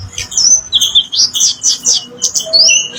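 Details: Orange-headed thrush song used as a lure to get reluctant caged birds to answer: a rapid run of high, clear whistled notes with sliding, rising and falling phrases and scattered short chips, sounding clean against a quiet background.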